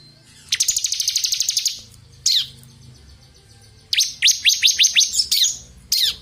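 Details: Bar-winged prinia, ciblek kristal form, in vigorous 'ngebren' song used to tutor other songbirds: a fast high rattling trill, then isolated sharp chirps and a series of quick, downward-sweeping whistled notes.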